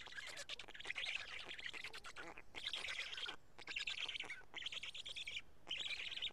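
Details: Feeding time at a black stork nest in Karula, 31 May 2017, two big fish shared among the chicks: raspy, hissing squeal bursts in four main bouts, each lasting one to two seconds.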